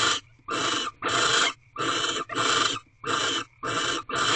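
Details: A pair of wild barn owls in a Corral nest box during mating, recorded around midnight on 24 February 2023. Eight broad, noisy hissing screeches come in a steady series with clear silences between them.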